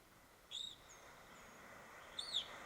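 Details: Evening grosbeak (Coccothraustes vespertinus) dawn song, built from flight calls with some trills: two short, burry, high notes that slur downward, about two seconds apart, over a steady hiss.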